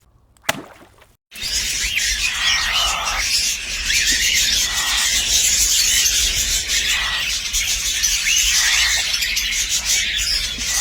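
Young cockatiels give a steady, raspy hiss of high, buzzy calls that rises and falls in waves.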